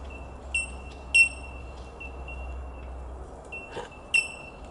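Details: Bell miners (Manorina melanophrys) at Dandenong Valley Wetland, Victoria, Australia, on 17 April 2021 give pure, high, bell-like 'tink' notes, three loud pings over a steady ringing chorus of more distant birds, with a faint low hum.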